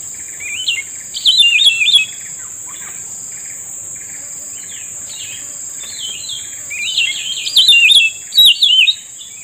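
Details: While being lured into a trap, a grey-bellied bulbul gives jerky warbling phrases of zigzagging whistled notes, a long quiet gap, then louder repeated bursts, all over a persistent shrill insect drone.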